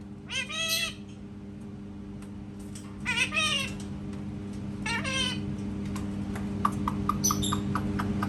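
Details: Indoor parrot imitating a cat. Three separate meow-like calls, each a rich harmonic wail bending up then down, spaced a few seconds apart. Faint clicks and a constant low hum fill the gaps.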